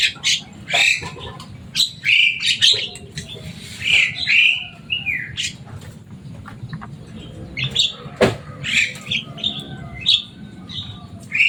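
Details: Kept Javan myna, a loud and noisy bird said to learn human speech, giving rapid chattering calls with short whistled notes and harsh bursts, several phrases every second or so, over a steady low background hum.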